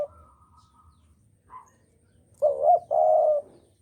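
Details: Javan spotted dove trapping-lure recording: a few faint brief notes, then one clear phrase of a wavering short note and a sustained mellow coo near the end.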